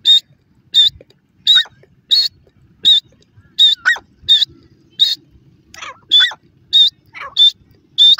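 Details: Male and female grey francolin giving loud, clipped, high-pitched calls, repeated steadily about every half second, with a few lower swooping notes mixed in toward the end; little background noise.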